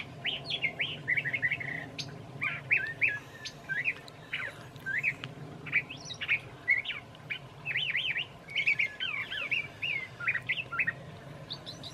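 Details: A curve-billed thrasher sings on a mild March evening in Santa Fe, New Mexico, a long, rambling run of varied, slurred and warbled phrases, often repeated, with a faint low hum and a meadowlark singing in the background.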